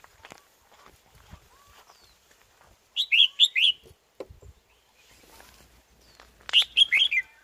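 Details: A wild red-whiskered bulbul, heard while trappers hang a decoy bird, gives two loud bursts of rich, warbled "double-burst" song, each about a second long and a few seconds apart, with faint clicks and soft murmur between.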